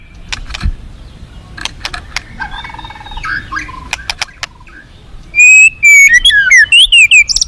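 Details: Faint clicks and soft notes give way to a loud run of rising and falling whistled song phrases from a forest white-rumped shama in the final two seconds.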